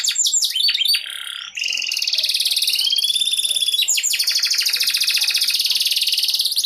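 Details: Competition canary from Bogor, Indonesia, prepared for a major event: quick bright notes, then a sustained buzzy rolling trill with a thin rising whistle above it, then a rapid fine trill.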